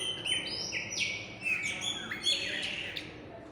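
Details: Chopi blackbird during mating and nest building at a gas station roof; rapid sequence of clear whistled notes and sharp slurred chirps, varied in pitch, with a faint background hum.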